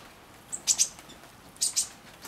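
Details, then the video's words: A great tit calls just before flying off, 19 February 2013: two pairs of very high, thin, quick notes about a second apart over a quiet background. "シジュウカラの鳴き声 （３） Call of Great Tit (3)"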